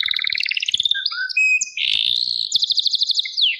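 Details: Canary song with a double-pitched trill, brief whistled notes, a harsh buzzy phrase and a quick bright trill ending in a falling sweep.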